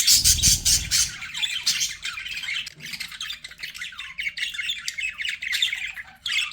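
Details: Budgerigars kept as pets chatter busily: a rapid, uneven stream of scratchy chirps and warbles, loudest at the start with a low thump beneath, then softer steady twittering.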